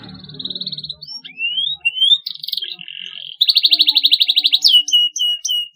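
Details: Canary song played to encourage young canaries to sing, with long steady whistled notes, upward sweeping slides, then a loud fast pulsing trill and short high chirps.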